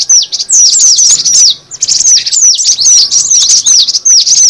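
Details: Lure recording of cinereous tit: quick, shrill chirps sliding downward, densely layered, with a brief pause midway before the busy chattering picks up again.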